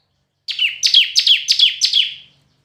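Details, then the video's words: Red-whiskered bulbul singing in a contest: five crisp, high notes that slide steeply down, each trailing into a brief buzz, delivered evenly over about a second and a half. "Chào Mào Hót Đấu"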